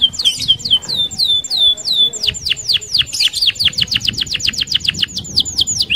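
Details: Vigorous rolling canary song meant as a lure for other canaries: high sweeping notes repeated steadily, speeding into a rapid run of downward-swept whistles about five per second, with a little background murmur.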